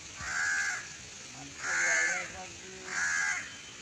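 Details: Barn owl during flight training, producing three rasping, noisy screeches roughly every 1.3 seconds, each about half a second long and broad like a hiss, with faint low voices murmuring between calls.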